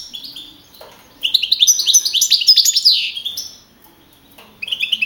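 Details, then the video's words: European goldfinch, a young field-type male that won first place with 42 points at a singing contest held in Navalcarnero, Madrid, April 2012; a dense burst of rapid, tinkling, buzzy notes lasting about two seconds, then quiet, then a fresh phrase. "JILGUERO CAMPERO CAMPEON 2012"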